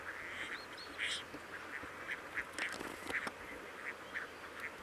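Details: Crested duck (Lophonetta specularioides) recorded during monitoring on 18 June at the Coyle River estuary, Santa Cruz, Patagonia, Argentina; short harsh quacking notes repeated several times a second, overlapping from several birds, with thin whistles and steady background hiss.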